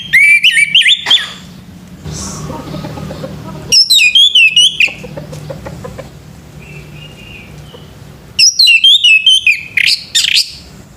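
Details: Male orange-headed thrush singing in the morning: three rich phrases of fast, looping high whistles and trills spaced about four seconds apart, with a soft chirp and low hum in between.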